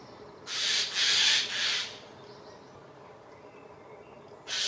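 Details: Mobbing Eurasian jays scolding an eagle owl at Dannenberg (Elbe), Germany, 31 May 2024; three harsh, hoarse screeches run together in quick succession, a pause, then another rasping cry starting at the end.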